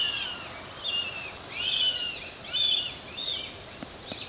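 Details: In Oyama city, Tochigi, Japan, juvenile Northern goshawks trying to catch up with their parent give thin, high, wavering whines, drawn out and overlapping, about one a second, over soft background hiss.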